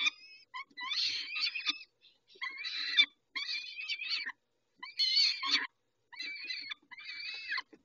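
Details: Peregrine falcons being fed at Dobra at 11:48, dated 19-05-21. Repeated grating, nasal calls in bursts of about a second, some with drawn-out wavering whines, with brief pauses between bursts.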